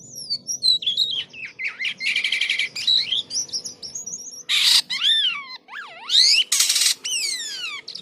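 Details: Jalak kapas starling singing vigorously with unusual, strange-sounding song: varied whistled notes sweeping up and down, interspersed with dense buzzy chatter bursts and descending slurred whistles, loud and continuous.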